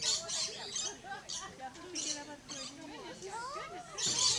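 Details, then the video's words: A rainbow lorikeet in a tree at Lion Country Safari, Florida, keeps up a busy stream of squeaky, twisting chatter punctuated by several harsh, hissing screeches, with no clear pauses. "Rainbow Lorikeet Singing"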